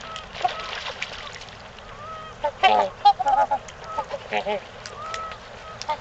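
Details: Trumpeter swans at Gallup Park, Ann Arbor, Michigan, in mating time, give loud, nasal, horn-like honks in a quick cluster of bursts, with quieter calls before and a low background hiss.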